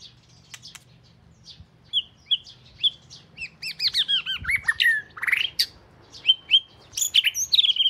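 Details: Oriental magpie-robin (binla), a household's first bird, of southern Thai type, sings loud, rich whistled phrases full of arching, swooping notes, quick twitters and rising slurs, growing busier and fuller toward the end.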